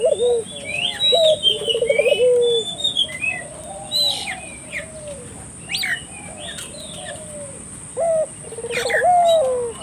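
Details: Barbary dove cooing to provoke local doves to call: a few low trilled coos with drawn-out endings, quieter in the middle, with scattered high chirps of other birds, wing-like flutters and a faint constant whine.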